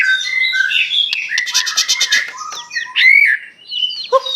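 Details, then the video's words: White-rumped shama, Aceh type, in lavish imitative song: sweet whistled notes give way to a quick buzzy trill, then a loud rising whistle and short high slurs, ending on a low mellow note. "murai batu aceh,isian mewah gaya mantap"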